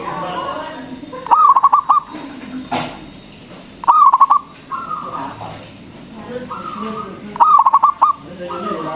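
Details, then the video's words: Local zebra dove with a loud, big voice, used to lure other doves and raise their mating drive. Three bursts of rapid, pulsed cooing, about every three seconds, with gentler cooing phrases in between. "PERKUTUT LOKAL GACOR SUARA BESAR ISTIMEWA PANCINGAN BURUNG PERKUTUT AGAR BUNYI"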